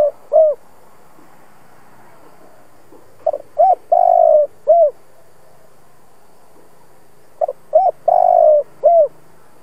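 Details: Old decoy spotted dove cooing to stimulate other doves to coo: two phrases of short hooked notes and one long, steady, mid-pitched coo, each phrase separated by pauses of several seconds, quiet background.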